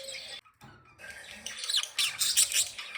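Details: Playing budgerigars give a brief spell of squawky chirps and high squeaky notes that grow louder and denser toward the end, after a short silent break.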